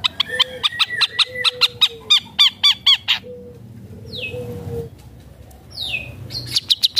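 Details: Long-tailed shrike, called cendet or pentet, delivering imitated bird phrases: a rapid run of ringing, looped notes with lower whistles, then a quieter stretch with downward-sweeping squeals, ending in more sharp notes.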